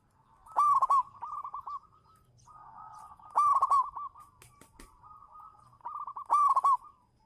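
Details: Local zebra dove lure bird in full song: three loud bubbling coo phrases spaced nearly three seconds apart, linked by quieter rolling notes. There is a brief sharp click in the middle.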